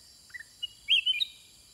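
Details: A single brief, bright phrase from a caged Sooty-headed Bulbul answering wild birds, led by two faint low chirps before the loud, slurred whistle.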